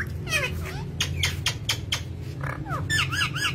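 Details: Parrot said to be talking, producing a string of short, harsh squawks and falling chirps, fairly even in loudness, against a constant low hum.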